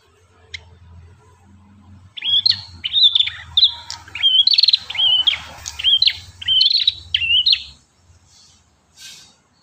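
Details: Ashy tailorbird in full, vigorous song: a rapid sequence of loud, bright whistles and sharp upslurred notes roughly every half second, over a soft low hum.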